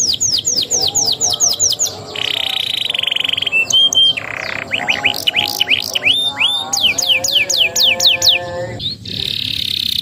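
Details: Canary mastering recording used as a lure to train young canaries; varied song of fast descending whistled notes, buzzy flat rolls and rising sweeps, delivered in rapid changing phrases.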